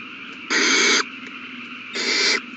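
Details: Owl nestlings begging while being fed, March 27, 2020: a pair of loud, breathy hissing screeches, the second slightly softer, separated by a quiet pause of about a second.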